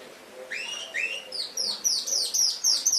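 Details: Canary song used as a training recording for pet canaries, with rising whistled notes followed by a fast run of high buzzy descending trills repeated several times a second.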